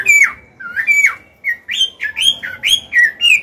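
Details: Chinese hwamei, an old wild-caught cage bird, sings to stimulate and train other birds; clear slurred whistles dropping then rising, repeated about every third of a second.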